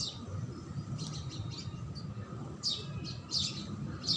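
House sparrow giving short, bright chirps, loosely repeated about once or twice a second, over a low steady rumble of background noise.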